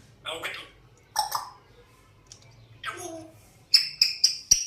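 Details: An African grey parrot, said to whistle constantly and try to talk, gives three throaty speech-like phrases, then four quick, piercing high whistled notes in a rapid row.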